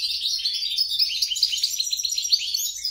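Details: European goldfinch crossed with grey-crowned goldfinch, a hybrid mule, giving a steady rush of high twittering notes and liquid trills, densely packed without pauses.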